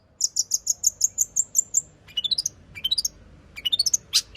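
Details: Long-tailed shrike lure song packed with material: a steady series of about ten thin high whistled notes, then short bursts of rising chirp runs, ending in a harsh burst.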